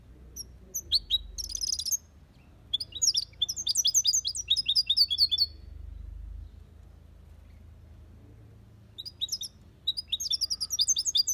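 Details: European goldfinch kept in an aviary, singing copia Malaga: short buzzy, scratchy opening, then long runs of quick liquid twitters and chirps, a brief pause, and another twittering phrase at the end over a low hum.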